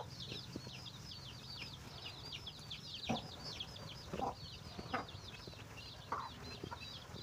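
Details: Chicken calling while finding food for its chicks. Short, low clucks come every second or so over a steady chorus of high, thin, downslurred peeps from many chicks.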